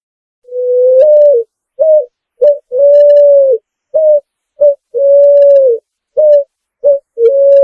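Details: Picazuro pigeon song, a clean recording: low, mellow cooing in a steady pattern of long drawn coos, each followed by two short clipped coos, repeated across the phrase with brief silent gaps and no other sounds.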